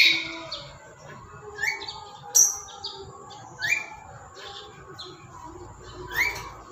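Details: Tame pet black-capped lory uttering a series of short, sharp upslurred squawks and chirps, spaced irregularly roughly every second or two, over a faint steady background hum.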